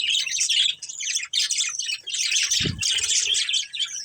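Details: Dense, shrill warbling chatter from a breeding pair of budgerigars, almost without break, with a single low thump a little past halfway.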